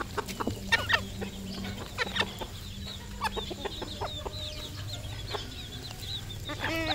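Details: Local decoy red junglefowl calling amid other fowl: short clucks and rising squawks in irregular bursts, with a faint steady low hum underneath.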